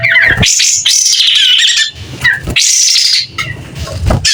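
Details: Kapas tembak singing energetically with tail spread, clear-voiced: long, loud, harsh high-pitched phrases broken by brief dips and squawky notes, an intense, nearly unbroken delivery.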